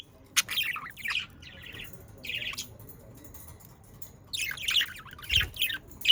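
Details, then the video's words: Budgerigars, or Australian parakeets, in sounds meant to make pet parakeets sing: soft buzzy warbling phrases with gaps, ending in a livelier burst of squeaky chatter and a single thump. "Sounds of Australian parakeets to stimulate your parakeets to sing"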